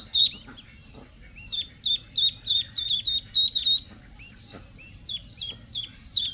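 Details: Ducklings peeping: loud, high, shrill peeps, each sliding downward, given in rapid runs of several per second, with a steady low background hum.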